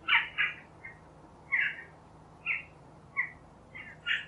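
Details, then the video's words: Western jackdaw giving short, sharp 'tchack' calls, about eight in four seconds, some doubled and unevenly spaced, over faint background hiss. "The Jackdaw - Bird Song"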